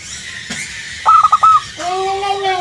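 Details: A local zebra dove gives its answer-provoking lure song: four staccato coos at one pitch in a quick string. A long, drawn-out gliding tone from another voice follows.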